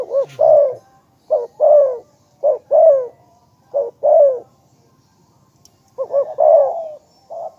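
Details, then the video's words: Spotted dove's coo sequence: quick bubbling looped notes open the first and last phrases. Paired husky coos in between are a short note then a longer falling one, separated by short silences. "นกเขาใญ่ ,เจ้าพายุเสียงทอง,เรียกหมานๆ100%"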